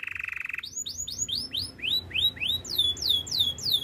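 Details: Belgian canary training song: a rapid buzzy trill, then a series of upswept whistled notes repeated about three times a second, rising higher toward the end over a faint low hum.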